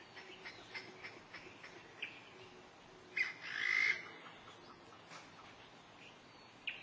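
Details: Black-necklaced Scimitar Babbler, a Taiwan endemic of mountain broadleaf forest, recorded July 2011 at Dagangshan, Taiwan: a harsh, rasping squawk lasting under a second, among scattered short, high chirps from other birds.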